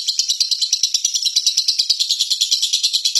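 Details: A lovebird gives a long "ngekek" trill, an unbroken, high-pitched chatter of harsh, rattling notes, about six per second, with no pause.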